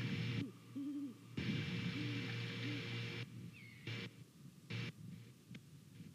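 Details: A pair of Great Horned Owls checks out a Savannah nest on 28 November 2019, hooting to each other, captured by a nest camera. A few low hoots are heard, partly masked by a loud, steady low hum, with abrupt breaks in the sound.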